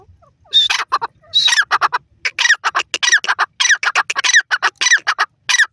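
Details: Indian francolin, known locally as dakhni teetar, calling in a rhythmic series of loud harsh notes, each burst rising and falling with a squawking tone, repeated at uneven intervals for several seconds.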